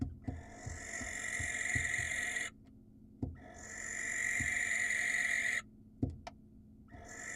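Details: Barn owl, wild, at an Israeli camera site, calling for a female: three drawn-out raspy screeches of two to three seconds each, with short knocks and taps in the gaps.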